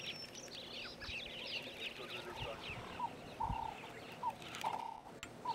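Namaqua sandgrouse give short, liquid, mid-pitched notes, repeated roughly every second, over a busy chorus of higher twittering small birds.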